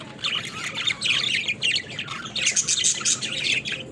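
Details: A pet flock of budgerigars plays in their cage, chattering in a busy, nearly unbroken run of scratchy squawks and high, overlapping warbling chirps.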